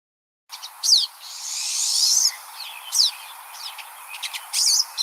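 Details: Pine Siskin song, described as a beautiful, buzzy, trilly acceleration with a rapid takeoff: quick, high twittering notes around a long, harsh buzzy stretch, then bright chirps in fast bursts. Siskins move in large flocks.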